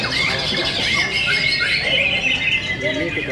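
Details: White-rumped shamas singing during a bird singing competition at Telaga Enterprise Cibinong: dense, overlapping whistled phrases and sharp chirps running without pause, with people talking in the background.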